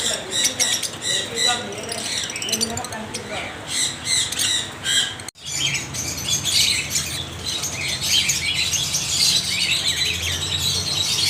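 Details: Intense racket of parrots, shrill squawks and rapid chattering calls overlapping throughout, briefly interrupted midway, then building into an even denser, constant screeching din.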